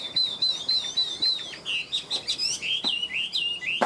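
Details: Tame caged Chinese hwamei kept for fighting sings a run of repeated clear whistled notes, about four per second, then breaks into looping slurred whistles and sharp clicks.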